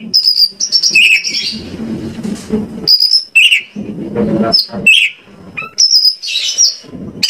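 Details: Lure recording of Oriental magpie-robin (kacer) song meant to prompt other kacer to answer: loud whistled notes, slurred up-and-down phrases and chirps in short bursts, with low rustling noise in the gaps.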